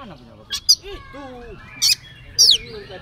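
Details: Oriental magpie-robin singing a full 'isian' filler song, used as a lure to make other magpie-robins answer. Sparse, separated notes: sliding low whistles and short sharp high squeaks, spread over three seconds with quiet gaps.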